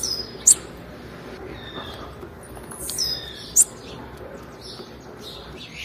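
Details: Female blue-black grassquit call, used to stimulate males: two short, sharp, very high chirps about three seconds apart, each followed by a thin whistled note, over a steady background hiss.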